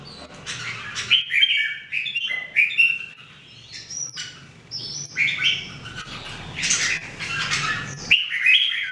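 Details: Caged Red-whiskered Bulbuls (Jambul), three birds trained to sing every day in 2018, give short bursts of clear whistled, warbling notes, several phrases rising and falling, separated by brief pauses over a faint low background hum.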